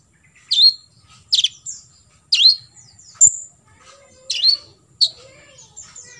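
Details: Olive-backed sunbird, kolibri ninja, singing a full 'tembakan isian' song used as a tutor recording for other sunbirds to copy: sharp, high, downward-sweeping chips, about six spaced unevenly over six seconds.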